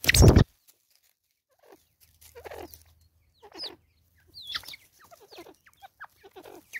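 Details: Agitated female Natal spurfowl (Pternistis natalensis) in South Africa, 2024: after a sharp knock, short, harsh, scratchy clucks in irregular bursts grow busier toward the end.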